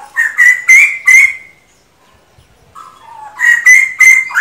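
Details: Excited male laughingthrush: four loud, ringing notes with a harsh edge over a level whistled tone, a silent gap, low sliding whistles, then another burst of strident notes.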